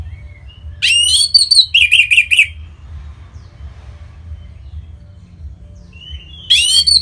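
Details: Caged orange-headed thrush singing as a prompt for other birds: a loud rising chirp, a rapid chattering trill of buzzy notes, a long pause with faint whistles, then another loud upslurred burst.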